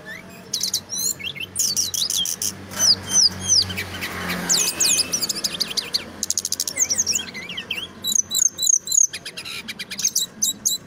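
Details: Brown-chested jungle flycatcher singing its loud, dense rolling song: quick upswept chips and chattering phrases over steady low hum and broadband noise throughout.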